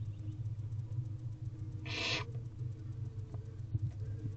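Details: A single loud, rasping hiss from a barn owl owlet in a nest box as its mother feeds the young by tearing food into pieces, over a steady low hum.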